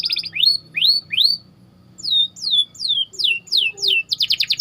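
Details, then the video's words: White canary training song: loud upward-curving whistled slurs, a spaced series of descending sweeps about every half second, and a closing rapid trill. "Burung Kenari Ngerol Rapat 🔻 Cocok Untuk Masteran"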